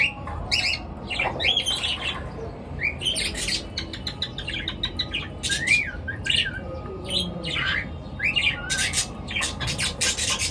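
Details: Morning chirping of pet birds; frequent short chirps, rising and falling whistled notes and squawks packed through the whole stretch, over a constant low hum.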